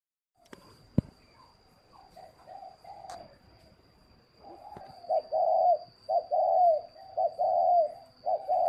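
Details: Spotted dove kept in a bird garden in Ba Vì, Hanoi, Vietnam: soft, hollow, mid-pitched coos in a rhythmic phrase, growing louder and repeating about once a second, with a faint steady high whine and a few clicks.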